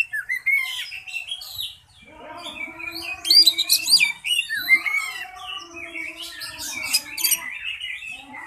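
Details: Oriental magpie-robin singing at a songbird contest: varied high whistled phrases and sharp sweeping notes in rapid bursts, over steady lower tonal hums like background music.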